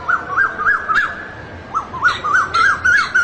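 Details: Asian koel in a fast run of short, rising whistled notes, about three per second, excited and rapid, with some background noise.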